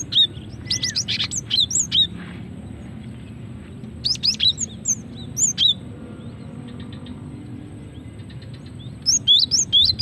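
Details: Calls of a female cinereous tit, meant to lure birds and provoke singing: repeated bursts of sharp, high twittering notes and quick whistles recurring every few seconds, with a soft low hum throughout.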